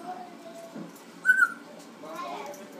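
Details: Pet African grey parrot, six months old, on its rope swings, producing one short, clear, level whistle against quiet background, with faint softer vocal murmurs before and after.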